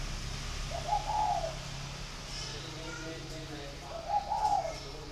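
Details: Caged spotted dove in a cage with a dragon door, from a bird farm in Ba Vì, Hanoi, northern Vietnam: two soft, mellow cooing phrases about three seconds apart over a low steady hum, with faint background noise.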